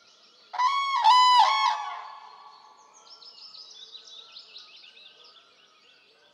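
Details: One loud, rolling bugle of a common crane in Poland, then fading into a long stretch of thin, high songbird twittering, with another call beginning at the very end.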